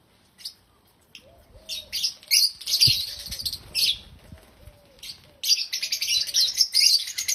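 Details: African lovebirds sounding happy, giving bursts of shrill, piercing chirps that grow into continuous loud chatter toward the end, while a soft low tone repeats steadily beneath them.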